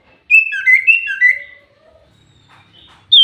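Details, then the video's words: Common iora song played as a lure: a rapid run of clear whistled notes alternating between a higher and a lower pitch, then a quiet pause and a final sharp note. "Burung cipoh pancingan super gacor"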